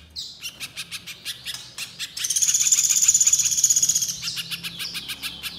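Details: Little spiderhunter in song. Quick, high chips repeat steadily, overlapped in the middle by a very high, buzzy, sustained trill.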